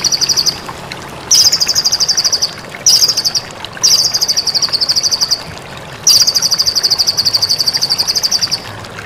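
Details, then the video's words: White-rumped shama song used as training material for caged songbirds: loud, rapid buzzing trills at a high pitch, repeated in bursts of one to two seconds with short pauses between, over a low, steady background hiss. "Masteran mematikan murai batu"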